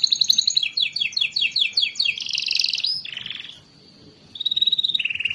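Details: Canary song for getting lazy canaries to sing: a fast series of downslurred notes, a loud buzzy burst, a brief pause, then an even rolling trill.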